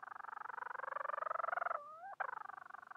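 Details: A Bermuda petrel calls for a mate with a throbbing, buzzy wail that climbs gently in pitch, then breaks into a smooth rising slur and a short sharp note before the pulsed moan returns.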